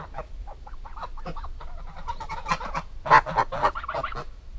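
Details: A goose flock gives rapid, uneven nasal honks, about four per second, building to louder, harsh blasts near the end, with a low background hum.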